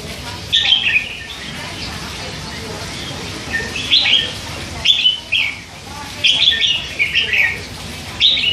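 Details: Caged three-month-old red-whiskered bulbul, hand-fed, chattering all day. Bursts of quick, bubbling warbles and slurred whistled chirps, grouped in short clusters with brief silences between.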